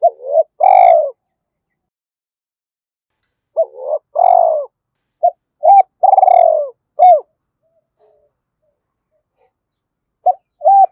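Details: Thúc-style coo of a decoy spotted dove with a thổ đồng voice, luring domestic and wild doves. Hooting two-part phrases with long, rich closing notes come in bursts, separated by gaps of several seconds.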